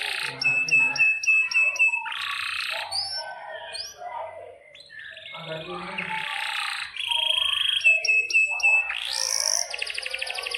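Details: Canary in full song, long rolling performance used as a master song for young canaries learning to sing: rapid repeated trill phrases, buzzy rolls and sharp rising whistles alternate, with faint low background noise.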